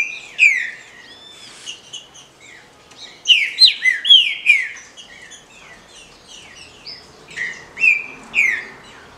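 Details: Female rufous-bellied thrush calling, used to stimulate males; a kept bird. Series of bright, slurred whistled chirps, some rising and some falling, delivered in irregular bursts with short pauses between groups.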